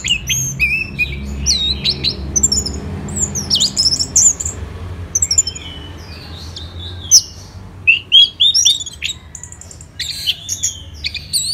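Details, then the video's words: Orange-headed thrush (anis merah) from Bali, Singaraja area, singing actively: a dense, fast stream of varied high whistles, sharp chirps and rapid twittering phrases, with brief pauses near the middle, over a low steady hum. "ANIS MERAH Gacor"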